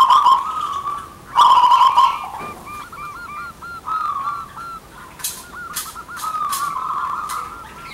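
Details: Male and female local zebra doves call back and forth, a loud singing pair prized as a lure: a strong burry trill near the start, then a run of quicker looping coos, with sharp clicks late on.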